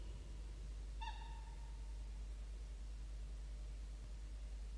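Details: A peregrine falcon on a nest-ledge camera, 23 October 2021, gives one drawn-out, slightly falling, harmonic-rich call lasting under a second over a steady low rumble of wind or hum.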